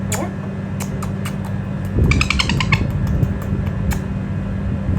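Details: Pet sun conure named Mango chatters indoors in short, raspy, speech-like bursts while being talked to, over a steady low indoor hum.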